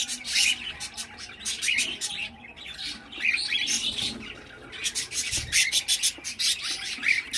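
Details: Young cockatiel chick calling with harsh, rasping squawks and short chirps in irregular bursts, broken by a brief quiet gap near the middle.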